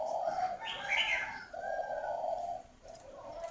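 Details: Spotted dove kept as a cage bird in northern Vietnam, cooing in the 'khách' style: low, drawn-out, mellow coos in a slow series of three to four notes, partly overlapped early on by a brief higher-pitched sound.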